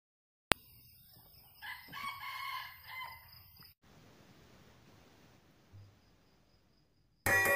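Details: Red junglefowl crowing in an oil palm plantation, recorded 12 August 2021: one loud harmonic crow of about two seconds with stacked, slightly rising parts, followed by quieter hiss and a brief low thud.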